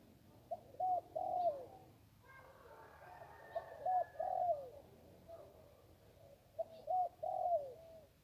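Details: Zebra dove along the Ping river, one-kuk style song: three phrases of quick clipped notes ending in a long trilled coo that dips at the end, with a faint steady tone heard in the middle.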